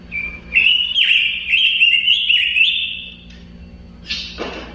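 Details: A robin delivering a run of bright whistled notes stepping up and down, trailing into a thin held whistle, ending with one sharp downward-sweeping note; steady low hum.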